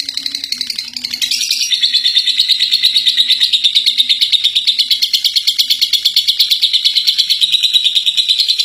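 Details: First-place lovebird performing ngekek, a long chattering song: a softer opening second, then loud, fast, evenly pulsed shrill chatter running without pause for over seven seconds.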